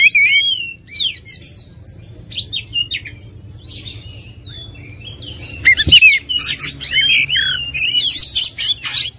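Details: Oriental magpie-robin singing a varied, rich song of clear whistled slurs, rising and falling notes and scratchy buzzes, delivered in rapid phrases with a short quieter pause midway before a louder burst.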